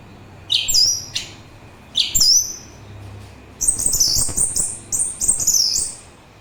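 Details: An orange-headed thrush gives high, thin, sharply inflected whistles, first as two separate notes, then a quick run of repeated high chirping phrases.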